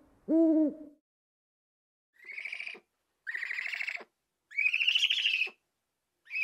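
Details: Owl voice opening with one deep, full hoot, then after a gap several harsh, hissing screeches about a second long, repeated at roughly one-second intervals, rising slightly in pitch.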